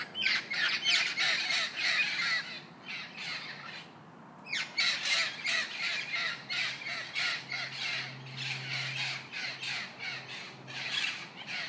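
Parrots squawk in harsh, raspy bursts, roughly three per second, in a steady chattering stream with one short pause. A faint low hum sits underneath.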